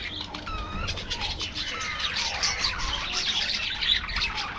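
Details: Budgerigar colony in an aviary with continuous chatter: slurred whistles, squeaky warbles and scratchy chirps overlapping from several birds.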